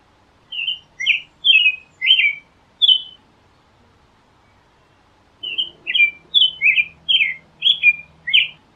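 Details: American robin singing two bouts of rapid whistled, warbled phrases, five then eight, separated by a pause of about two seconds, with a faint low hum during the second bout.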